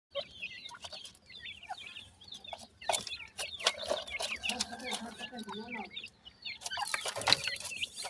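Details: Grey francolin chicks feeding: many short, high, rapid peeping chirps overlapping in quick succession, with a few louder clicks and faint rustling noise.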